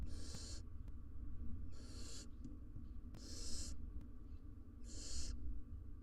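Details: Wild barn owl family, both parents and three nestlings, inside a nest box on a live cam; harsh breathy hisses of about half a second repeat roughly every second and a half over a low steady hum.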